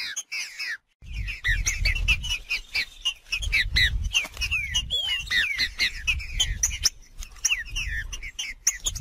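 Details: Green-winged saltator in the wild giving a busy, continuous song of clear slurred whistles and quick chirps, some notes rising and falling in loops, over steady low background rumble.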